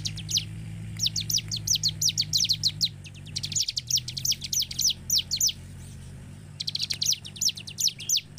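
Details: Lure song of a bar-winged prinia, to stimulate other birds: fast chirp runs at about three notes per second, a near-silent gap from about four to six and a half seconds, then chirping resumes.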